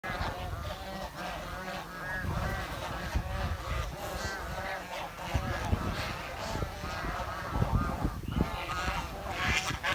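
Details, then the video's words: Village swans giving repeated nasal, harmonic honks and chirps, several overlapping, over steady low rumbling background noise. "The Chirping Sound of The Village Swan"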